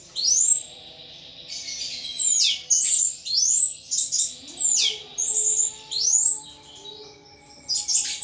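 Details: Kept thrush from Indonesia singing nonstop at full volume: loud, sharply slurred whistled phrases that sweep down in pitch, repeated in quick succession with brief gaps, bright and penetrating throughout.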